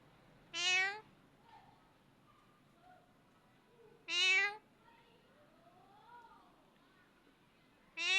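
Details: Talking parrot making cat sounds to call the cat: loud meow-like calls repeated about every three and a half seconds, with soft whistled and rising-falling notes in between.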